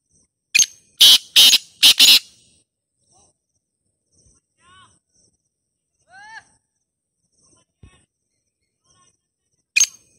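A francolin gives a loud, harsh burst of four grating notes, then another at the end; faint, rising, ringing whistles from another bird come between them.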